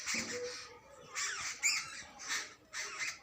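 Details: Jungle babbler adults and chicks calling: harsh, hoarse squawking bursts repeated roughly once a second, each burst broad and grating, over faint background noise.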